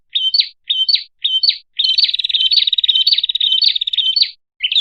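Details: Prinia call for luring birds: three spaced high rising chirps, then a dense rapid trill of about two and a half seconds, and a final chirp; crisp and without background sounds.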